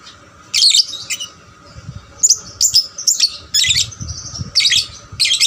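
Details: Young lovebird that sings often, played as a lure to stir other lovebirds into singing more; bursts of shrill, rapid chirping and twittering in short loud phrases, separated by brief pauses, with a steady low hum behind.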